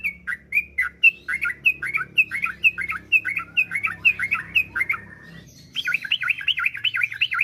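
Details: Yellow-vented bulbul song used as a lure to get other kept bulbuls singing in long bursts: a string of about fourteen short, bright, down-slurred whistled notes, then a brief pause and a fast, buzzy, rattling trill.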